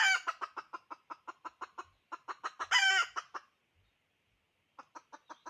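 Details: Hen, a female decoy chicken, calling: a fast run of sharp, evenly spaced clucks swelling into a louder, rougher burst, then a pause and a few more clucks. Faint low thumps sound in the background.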